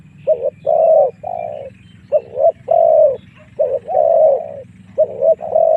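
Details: A spotted dove sounds fighting-lure calls for wild doves: rhythmic sets of short and long hollow coos, four phrases in quick succession, over a steady low hum.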